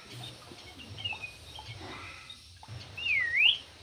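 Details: Javan pied starling giving one loud, clear whistle near the end that dips and then rises, after several seconds of faint, soft notes over a low hum.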